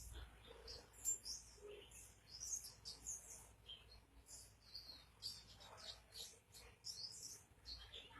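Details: Oriental white-eye, known locally as pleci, in energetic gacor song: bursts of very high, sharp chirps and short twittering notes in irregular quick succession, with faint low background hum.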